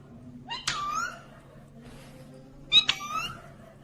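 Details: Green ringneck parrot talking indoors: two separate harsh, strongly harmonic utterances, each starting with a sharp click-like onset and trailing into a drawn-out, wavering voiced tone, against a faint steady hum.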